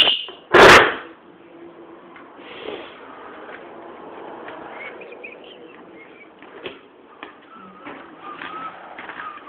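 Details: An angry pet rainbow lorikeet, upset by a pair of keys, gives one loud, harsh screech near the start, then soft scratchy chatter and thin squeaks under faint household noise.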